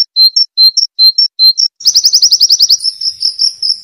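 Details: Pleci (white-eye) song used to train canaries: paired short high notes repeated with pauses, then a quick pulsing trill, and a steady high buzzy trill held to the end.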